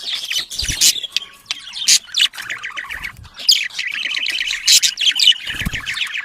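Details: Domestic budgerigars, sounds used to stimulate mating: continuous dense warbling chatter of buzzy trills, chirps and sharp squawks, with a few low thuds.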